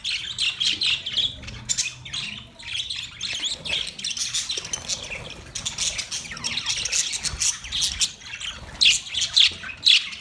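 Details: Budgies give rapid, continuous high chirps and raspy squawks in an unbroken chattering stream, with a few sharper clear notes near the close.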